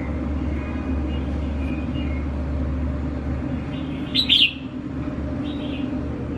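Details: A tamed red-whiskered bulbul, used to people, delivers a single brief whistled phrase of rising then falling notes, followed by a softer echoing note, over continuous low hum and rumble.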